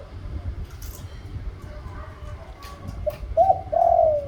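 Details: A quiet stretch with scattered clicks and faint background sounds, then a spotted dove gives one phrase near the end: a short note, a double coo and a long descending hoarse coo.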